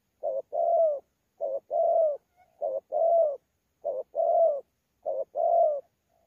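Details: Spotted dove, a wild-caught bird from Sa Thầy recorded 26 November 2019, described as a good cooing bird: paired coos, a short note then a longer rolling falling coo, repeated about every second, clean background.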